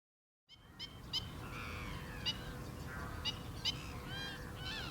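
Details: Black-winged stilt making sharp, piping yelps in an irregular sequence, some notes sliding slightly, against a low hiss.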